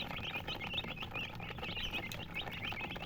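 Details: Colored chickens keep up a busy chorus of thin, high chirps, each a brief upward or downward slur, crowding together with no pauses.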